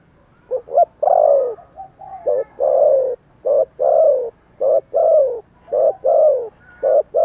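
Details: Spotted dove giving energetic calling coos, with low hooting phrases repeated steadily: paired short notes leading into longer, downward-sliding coos, roughly one per second, in a quiet setting.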